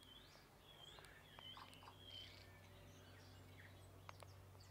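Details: Several tui feeding on kowhai nectar in a suburb in summer give raucous, musical calls: thin sustained whistles, quick upward sweeps and scattered sharp clicks, with a constant low drone underneath.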